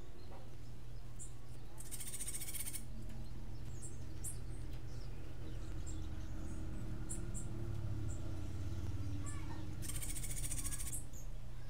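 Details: Cuban grassquit song in the martillito style, described as unique. Two loud, high, rasping buzzy trills, one early and one near the end, with scattered soft high ticks between and a strong low droning hum throughout.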